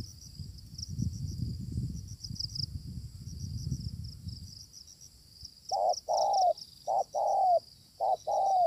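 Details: Aggressive wild spotted dove meeting a luring decoy: after several seconds of low rumbling background noise, a string of loud mellow coos begins, short and long notes alternating, with insects buzzing high above.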